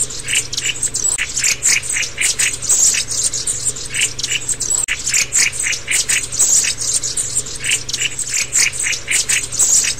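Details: Black-throated tits (Aegithalos concinnus) give thin, high, rapid twittering notes in quick bursts, likely from several birds, over a low steady hum.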